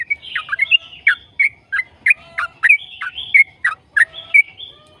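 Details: Rapid 'ropel' song of a yellow-vented bulbul, used as a lure to get other bulbuls singing: bright, bubbling warbled notes at roughly one and a half per second, some slurred upward, steady throughout.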